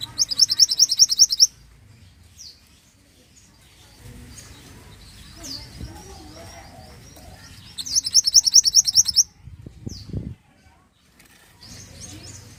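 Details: Pied bushchat song played as a training recording for songbirds: two bursts of rapid, high, sharply repeated chirping notes, each about a second and a half long, separated by quiet stretches with faint low rumble and a few soft distant notes.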